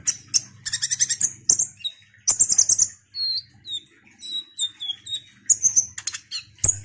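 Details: Ruby-cheeked sunbird singing actively, with bursts of sharp, high, buzzy chirps mixed with short thin whistled notes that slide downward, delivered in quick irregular clusters separated by brief pauses.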